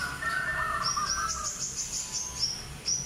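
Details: Sooty-headed bulbul, an albino with white feathers and red eyes, sings quick liquid warbling notes at the start, followed by a rapid series of high thin chips from another songster over low background rumble.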